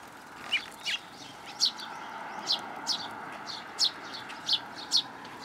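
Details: A fledgling sparrow waits for food in a plum tree at a Tenmangu shrine, 1 June 2022. Its sharp, high chirps come singly at irregular gaps of about half a second to a second, over a low steady hum.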